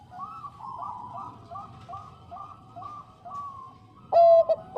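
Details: Bangkok-type zebra dove, a female calling the male, giving a clear run of soft, even cooing notes around a steady pitch for four seconds, then a sudden louder, lower, drawn coo at the end.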